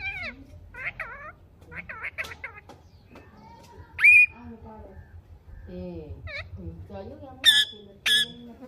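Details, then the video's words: Pet green parrot, talking and chirping: bent voice-like calls in short groups, a sudden loud squawk, more murmured calls, and two harsh squawks close together at the end. "Parrot Chirping sound / voice | Tota Ki Awaz | Talking Mithu Mithu sound"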